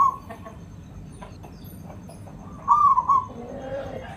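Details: Javanese local zebra dove singing as a lure call: one short, bubbling, rolling coo phrase late in the recording against low background rumble and faint clicks.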